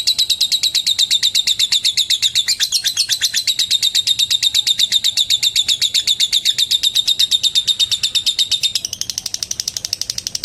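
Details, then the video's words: Long lovebird ngetik trill meant to call a rival: a fast, even stream of high, sharp ticking notes lasting about nine seconds, then a brief change to slightly different, fainter rapid notes. "Suara Burung LOVEBIRD Memanggil LAWAN Bikin LB Lain ikut NGETIK SAMBUNG NGEKEK. LABET NGETIK PANJANG"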